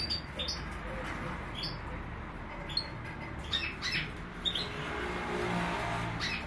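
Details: Major goldfinch from Greece giving bright, clipped chirps and brief rising whistles at irregular intervals, set against constant low rumbling noise and faint hiss.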